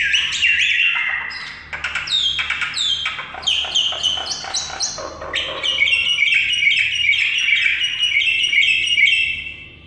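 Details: Common myna in a long, varied vocal run: clicks, squeaks, falling whistles and harsh notes, ending in a steady, buzzy, high-pitched trill.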